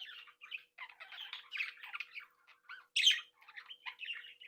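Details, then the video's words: Captive budgerigar breeding flock chattering: soft continuous warbling and twittering from several birds, broken by one louder harsh squawk. "Sonidos de Mi Cría de periquitos Australianos"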